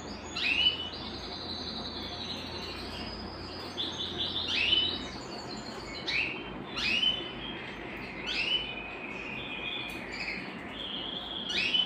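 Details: Belgian canary song aimed at stimulating singing and bringing females into breeding condition: phrases of sharp rising notes repeating roughly every two seconds, linked by sustained trills, over a low background hum.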